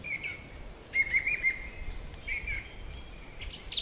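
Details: Black-capped chickadee in North American woodland, calling with a string of drawn-out, husky, level 'dee' notes, closing with a bright high chip.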